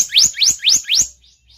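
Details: Blue-banded kingfisher lure sound: four thin, rising whistled chirps in quick succession, each sweeping sharply upward, then fading to faint trailing notes.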